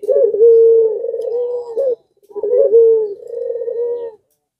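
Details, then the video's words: Barbary dove of the pelung type in breeding condition, calling so that nearby doves join in; two long, level coos around mid pitch, each opening with a short wavering note and ending in a brief rise, separated by a pause. "BIRAHInya memuncak Lagi Sampe Gacor Ngundang Puter Disekitaran Ikut Gacor jadi rame"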